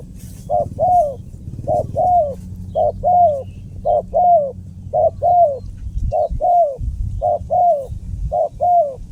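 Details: Steady spotted dove call made of paired coos, a brief note then a drawn-out falling one. About eight pairs come at an even pace over soft background hum, with a faint rustle near the start.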